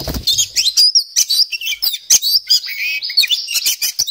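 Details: Oriental magpie-robin of the poci type singing energetically with a song full of varied phrases: rapid, high whistles and chirps, many short notes in quick succession with sharp rising and falling slurs, no pauses.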